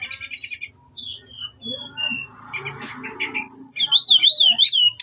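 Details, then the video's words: Provocation song of a brown-chested jungle flycatcher: scattered high whistles over a low murmur, ending in loud rapidly wavering whistled trills that climb and dip. "Suara Pancingan SRDC gacor Nretet Ngeplong Nembak isian membuat srdc bahan Emosi Fighter"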